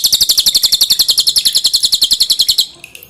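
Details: Cililin, the pin-striped tit-babbler, singing a loud, tightly packed masteran song for tutoring cage birds: one unbroken run of rapid sharp high notes, about four per second, ending abruptly; clear dripping water behind.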